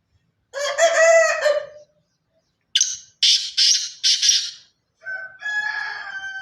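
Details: Pure Sindhi black francolin giving its four-note grating call in the middle, preceded by a different loud, harmonic squawking call and followed by another tonal, nasal call.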